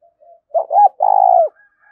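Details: Single 'thúc' coo phrase by a spotted dove: a short note, a rising coo, and a long, buzzy, gently falling coo, with a faint high whistle after.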